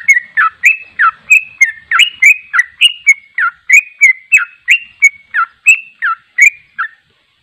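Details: Sooty-headed bulbul in full ropel song, a long brisk sequence of bubbling whistled notes rising and falling, ending abruptly into silence.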